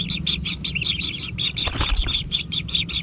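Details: Young kingfishers begging at their natural nest as food arrives: quick, scratchy, high chirring notes repeat in bursts, broken midway by a brief soft flutter, with a low hum underneath.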